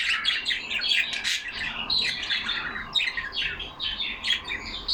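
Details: Pet budgerigars, some yellow, kept in a cage and chattering among themselves: fast, continuous twittering, scratchy squawks and chirps with rises and falls in loudness, almost no pauses.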